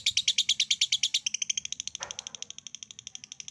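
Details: A lovebird's 'ngekek', meant to prompt other lovebirds to trill: loud rapid rasping pulses that soften and thin out while continuing at the same quick pace.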